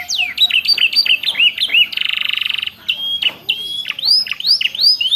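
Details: Canary training song for caged birds, laced with ciblek and prenjak phrases: rapid varied whistles and upslurred notes, a buzzy pulsed trill midway, then bright rising sweeps.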